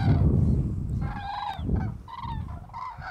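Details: Common cranes on mass migration over the Strabrechtse heide, 5 March 2013: loud, rolling trumpeted calls with rich overtones come in three bursts, over a steady low rumble of wind.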